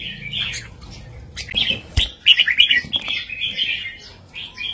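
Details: Red-whiskered bulbul singing a southern Thai master song, played to teach young birds and excite listening birds: bright warbled phrases at mid-high pitch, a loose run of chirps, then quicker bubbling notes, over a low background hum.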